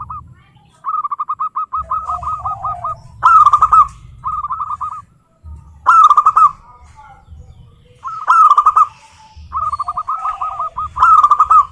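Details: Zebra doves of local stock sing in turn: rippling phrases of rapid curled notes, some long and faint, others short and loud from a nearby bird, repeating every two to three seconds, with brief low thumps between.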